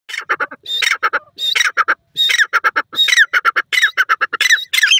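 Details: Male and female francolin, teetar, calling together among lush greenery in their natural habitat: a loud, near-continuous run of harsh, raspy notes in tight clustered bursts, with one phrase tumbling into the next.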